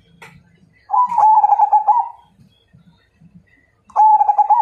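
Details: Zebra dove (perkutut) of the Majapahit type cooing as a challenge to fight: a low, vibrating trilled coo held about a second, a pause with soft clicks, then another rolling coo begins.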